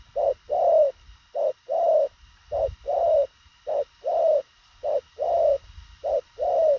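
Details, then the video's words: A spotted dove coos rapidly in a tidy pattern. Each short muffled note leads straight into a drawn-out, gently rising coo, and these couplets repeat about every 1.2 seconds, clear and loud against near silence. "Thổ khàng tốc độ gù bá cháy, ngắn gọn xúc tích."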